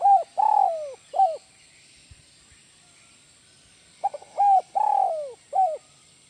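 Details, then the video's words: Spotted dove (tekukur) calling in the 'kuk 1 melambung' style, repeating its cooing phrase twice: short coos, a long slurred downward coo, then a short final note, separated by a silent gap. "SUARA BURUNG TEKUKUR IDAMAN KUK 1 MELAMBUNG"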